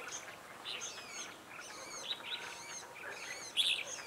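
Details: Red-whiskered bulbuls at a trap with a decoy pair, where a female has just been caught. Bright chirps and short warbled phrases overlap, with several birds calling at once over a soft outdoor hiss.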